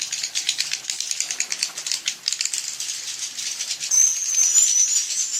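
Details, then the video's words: Edible-nest swiftlet lure call for evening roosting, a fast dry rattling of high clicking notes in uneven bursts, with a thin high twitter joining near the end. "SUARA BURUNG WALET - INAP SENJA"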